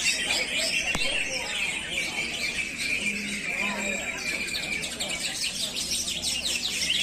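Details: Greater green leafbird in a singing contest session, 23 August 2021: a dense, fast run of high chattering and twittering notes, with people talking over it.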